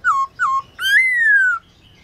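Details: Caged black-throated laughingthrush singing at midday in training: two short clear downslurred whistles, then a long rich whistle that rises and slowly falls, in a quiet room.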